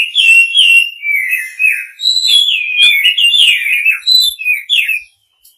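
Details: White-rumped shama male singing to call a female: loud, varied whistled phrases sliding between mid and high pitch, rich warbled notes strung together almost without pause for about five seconds, then silence.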